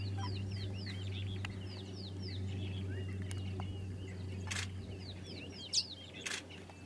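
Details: Southern Masked Weavers weaving nests in Pilanesberg National Park, South Africa, on 7 January 2013: many quick downward-sliding chirps and buzzy twitters overlapping in a busy chorus, over a steady low hum.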